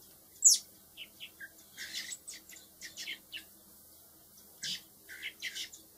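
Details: Four baby blackbirds reared by hand for later release: one sharp high squeak, then a series of short buzzy chirps spaced a fraction of a second apart, a pause, and another burst of chirping.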